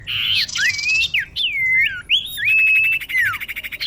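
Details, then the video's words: Female common iora calling a male, used as a lure: bursts of buzzy rasping notes around high pitch alternate with clear whistled slurs, some rising then falling, plus a long steady whistle ending in a downward glide. "Kicau cipoh betina memanggil jantan"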